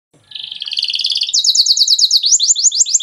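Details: Agitated male canary singing to stimulate other birds to sing: a steady trilled phrase near the top of the range gives way to rapid, repeated downslurred whistled notes, about three per second, loud and clean with no other sounds.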